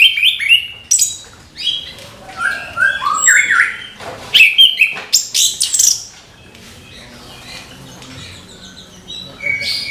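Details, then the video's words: Morning song of an orange-headed thrush, a babbling stream of bright whistles, slurred notes and harsh chips across six seconds, fading into near quiet with one last short phrase. "ANIS KEMBANG GEMERCIK SUARA DIPAGI HARI"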